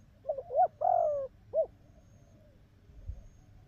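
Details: Spotted dove cooing in the 'bài ngoài' style, described as having a good coo: a short burst of soft, hollow, wavering coo notes over about one and a half seconds, then quiet with faint low rumble.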